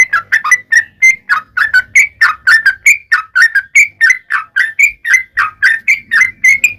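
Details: Yellow-vented bulbul in extended rapid song, used as a lure for other bulbuls. Quick bubbly whistled notes follow one another at about three per second in a steady, chattering stream.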